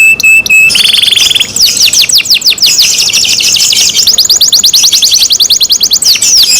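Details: Loud canary song opening with a flat whistle and a dense buzzy trill, followed by fast chains of high downward-sweeping notes, repeated many times a second.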